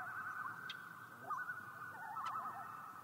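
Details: Common loon with short bursts of quavering, yodel-like warbling, broken into brief phrases, with a couple of sharp clicks between them over a faint steady hiss.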